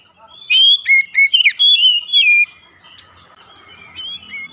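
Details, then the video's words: Oriental magpie-robin song played as a lure to make kept magpie-robins sing: a loud burst of slurred, whistled notes lasting about two seconds, then faint, softer warbling continuing in the background. "terapi pancingan Kacer tanpa mengenal waktu | Kacer rumahan pasti gacor"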